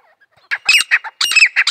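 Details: Brief grey francolin (desi teetar) outburst: a faint whistle, then two quick clusters of loud, raspy, grating notes.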